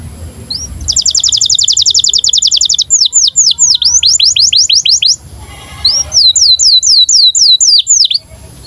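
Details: Canary in breeding condition singing for training young canaries: a fast, even trill of repeated high notes, then a series of looping swept whistles, a pause, and another run of swooping notes, with a steady high background hum.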